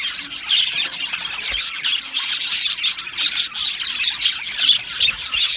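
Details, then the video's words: Budgerigars in an aviary colony chirping together, a dense continuous chatter of high warbled chirps and squawky notes with no pauses. "Australian Budgie Chirping Sounds"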